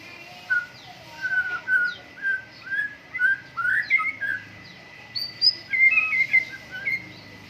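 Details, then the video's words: White-rumped shama at morning dew airing, a caged bird repeating short whistled notes about every half second, then higher varied phrases, over a faint steady background tone. "MURAI BATU GACOR, PROSES BURUNG MURAI PENGEMBUNAN PAGI"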